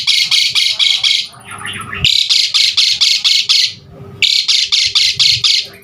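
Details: Asian pied starling song for stimulating and tutoring caged birds: three bursts of rapid, harsh, grating notes, each about five to eight strokes long, separated by brief pauses with softer chatter and a thin high whistle.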